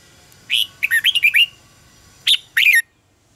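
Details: Red-whiskered bulbul fighting song, meant to stimulate captive birds. A rapid string of five or six bubbly whistled notes is followed by two louder, emphatic rising-falling whistles, with a faint background hiss.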